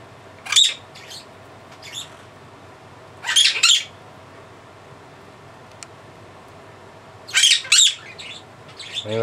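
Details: Pet blue-crowned conure shrieking, a habit it keeps up for about three minutes, usually at dusk; loud, harsh, high-pitched screeches in three main bursts several seconds apart, with softer squawks between and faint speech.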